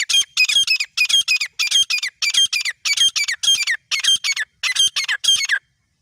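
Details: A pair of partridges (grey francolin, teetar), used as a hunting sound, call in loud, harsh, high-pitched bursts, each a rapid run of grating notes, repeated about every half second, with nothing else heard.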